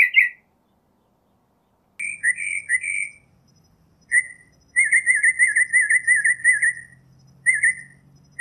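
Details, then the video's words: Northern mockingbird singing whistled, wavering trills, including one long sustained warble lasting about two seconds, over a faint low hum. "Northern Mockingbird Song, Sound, Voice, Call, Melody - Sinsonte Canto - Mimus Polyglottos"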